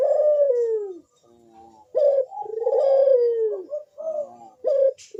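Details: Ringneck dove performing a big, sharp bekur coo to get other doves calling: a long falling coo, a soft broken phrase, then another extended coo and short rolling notes.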